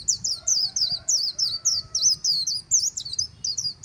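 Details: High, rapid twittering song of a white-eye at the Kỳ Cùng riverside in Vietnam, with notes repeated about four times a second, plus a faint low drawn-out tone.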